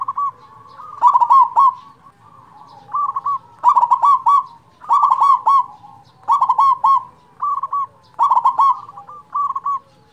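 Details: Big-voiced local zebra dove used as a lure for reluctant singers: repeated loud purring coo phrases about every one to one and a half seconds, alternating with softer trills from a second dove.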